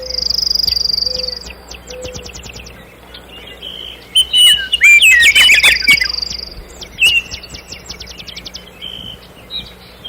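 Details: Common nightingale singing: rapid repeated clicking and ticking notes, a sustained high buzzy trill, then a burst of loud rich warbled phrases followed by more fast ticking series; steady low hum in background.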